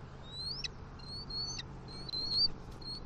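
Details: Bald eagle pair at their nest in Southwest Florida on 28 October 2023, where the male brings two fish gifts to the female. Thin, high whistled notes slide upward in a short run, with faint clicks between them.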